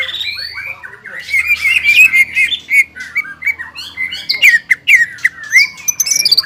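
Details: Gacor greater green leafbird, roused to sing ngobra and jamtrok: a rapid stream of bright warbled whistles and crisp clicks, rising into thin high slurs near the end.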